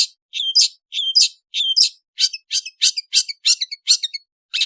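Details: Indonesian long-tailed bird, afternoon: three paired phrases of a low whistled note then a rising squeak, followed by a run of harsher, rasping chirps repeated roughly twice a second.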